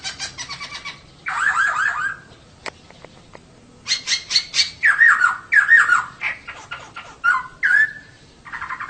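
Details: Female poksay (laughingthrush) singing, used as a lure to get male poksay singing actively; loud harsh, buzzy notes with falling slurred phrases, repeated in bursts separated by short quiet gaps, a few clicks between.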